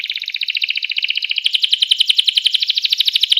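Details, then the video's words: Canary song used to trigger rival canaries to sing: a continuous, loud, rapidly pulsing trill throughout, the notes growing sharper and more metallic after the midpoint, with no pauses. "Ga ada lawan suara kenari ini 99% jitu sekali membuat kenari lawan gacor"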